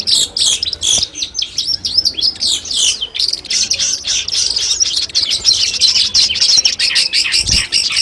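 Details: Long-tailed shrike song in a collection of master recordings used as training audio before a competition: a dense, continuous high twittering and chattering, with rapid scratchy notes and quick mimic-like trills running without pause.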